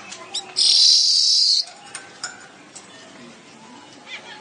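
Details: Weaver in vigorous gacor song: a single loud, hissing sizzle lasting about a second, framed by a few faint clicks and chips against a quiet, low background.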